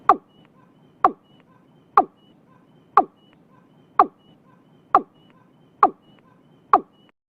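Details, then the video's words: Watercock early in the year in Vietnam, giving evenly spaced sharp, hollow notes about one per second, each dropping in pitch, eight in a row, with faint whistling from another bird. "Tiếng cúm núm đầu năm"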